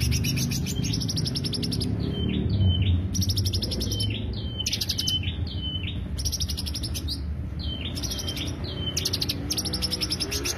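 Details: Greater green leafbird lure song mixing rapid high chattering bursts with short, clear whistled notes that dip in pitch, over steady low background noise.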